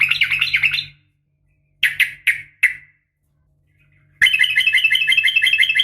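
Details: Morning calls of a female sooty-headed bulbul summoning males: a brief chattering run, a pause, then four sharp separate notes, and finally a sustained, rapid chattering trill with a faint low hum underneath.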